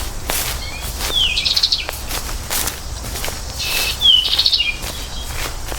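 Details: American goldfinch giving two separate rising, slurred whistled phrases about three seconds apart, with soft clicks and rustling sounds between them.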